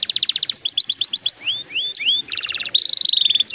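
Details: Singing canary used to trigger song in young canaries: rapid pulsed trill, choppy doubled notes, three rising slurred whistles, a low buzzy rattle and a closing fast high trill.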